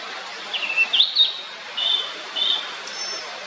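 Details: Blue-and-white flycatcher: whistled notes sliding up and down, followed by two flat sustained whistles and a faint high thin note at the end, over soft background hiss.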